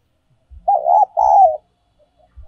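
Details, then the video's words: Spotted dove decoy song, 'giọng còi' or 'giọng kim' style: a single two-part coo phrase, a wavering first note then a longer falling coo, with faint low knocks before and after. "cu gay moi chuan mp3/ Giọng còi chuẩn nhất 2022"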